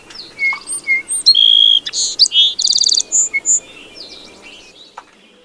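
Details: Song sparrow song, a complex run of whistled notes, buzzy trills and sharp chirps lasting about four seconds, fading out at the end.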